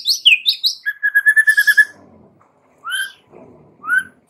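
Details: White-rumped shama singing as a lure for young forest-caught birds: bright downslurred whistles, then a quick rattled series of repeated notes, followed by two separate rising whistles after a pause.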